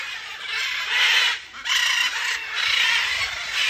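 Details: Macaws at Emperor Valley Zoo, Trinidad, give loud, harsh, raspy screams in overlapping bursts of about a second each, nearly continuous, with no other clear sounds.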